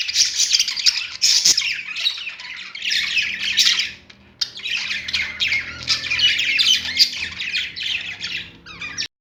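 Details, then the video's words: Several caged budgies singing on a perch: a steady, scratchy warble of fast twittering and squeaks, breaking off near the midpoint before resuming, faint low hum beneath. "budgies singing on perch"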